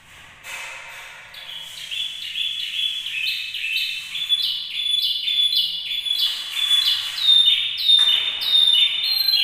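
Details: Canary training song for tutoring other canaries, starting softly then building into steady, loud repeated high trills and ringing whistles, phrases changing every second or so, growing louder toward the end.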